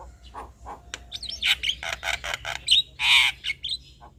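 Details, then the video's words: Male Javan myna used as a lure for other mynas, giving a varied chattering song: soft low notes build into rapid harsh bursts and squeaky whistles, with a loud rasping squawk near the end. "Ocehan Jalak Kebo Jantan Ini Pasti Langsung Respon"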